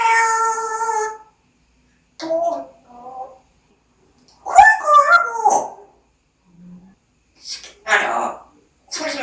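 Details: Indoors, a pet parrot opens with a long, pure-toned, whistle-like note rich in harmonics, then gives scattered short speech-like syllables and a few breathy, raspy bursts separated by silences.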